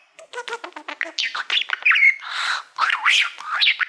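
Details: Mirror-loving male budgerigar warbling to a silver award plaque, starting with a quick row of clipped low chirps, then swinging into wavering whistled glides and hoarse squawky notes.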